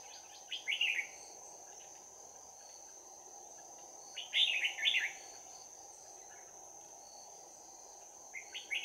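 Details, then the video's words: Red-whiskered bulbul at a trap on 11 January 2019, singing in a bell-like fighting style. Loud, rich warbled phrases come three times, at roughly four-second gaps, against a steady high-pitched insect whine. "Bẫy chào mào Giọng chuông đấu giáp lá cà"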